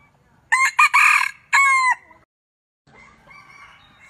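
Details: Red junglefowl crowing in Vietnam: a loud, ringing three-part crow with a short first note, a longer second phrase and a drawn final note. A fainter, softer crowing follows after a pause.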